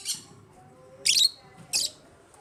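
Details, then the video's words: Aviary-kept African lovebirds giving three harsh, high squawks, each brief and grating, separated by pauses of about half a second to a second, over a quiet background. "AFRICAN LOVEBIRDS CHIRPING SOUNDS"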